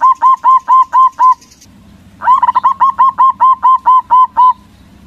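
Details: Singing local zebra dove used as a lure for rival doves. Evenly spaced, ringing coo notes repeat about twice per second, then a new sequence starts with a quick stutter before returning to the regular rhythm.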